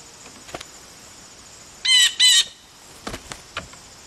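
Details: Nervous blue jays jumping around, apparently wary of the camera. One gives two quick, harsh, slightly falling jay calls back to back, with faint taps and rustles before and after.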